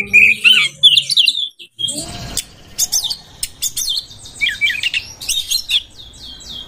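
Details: Oriental magpie-robin singing while it seeks a rival to fight: bright whistled warbles at the start, then a pause and a series of sharp clicks and scratchy chatter over a soft low background hum.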